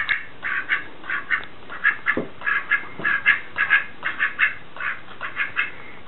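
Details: Male Muscovy duck attacking a doormat to tell another big Muscovy male outside the window to go away from his mate. Harsh, breathy calls come in uneven clusters about every half second, with a soft thump partway through.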